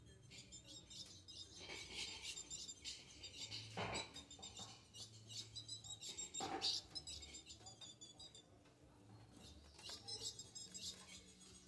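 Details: An 8-month-old young female ultramarine grosbeak gives rapid, high, thin chips in busy bursts, soliciting mating; faint voices and household noise sit underneath.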